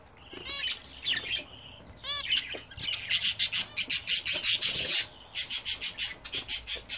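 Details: Home-kept budgerigars bred as a hobby, calling while bathing: scattered bright chirps and short warbles, then a run of rhythmic buzzy bursts about three per second, likely splashing or wing-flutter.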